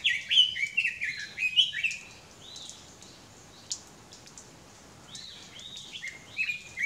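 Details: Red-billed leiothrix in a mountain area of Japan, in summer, giving a fast burst of bright, warbling chirps in the first two seconds, then scattered higher rising notes over a quiet background.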